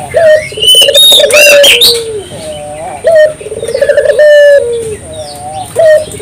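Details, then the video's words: Puter dove singing in gacor style to set off local doves: purring trilled coos that slide down into a held tone, with bright high chirps and whistles from other birds mixed in. "suara burung puter gacor"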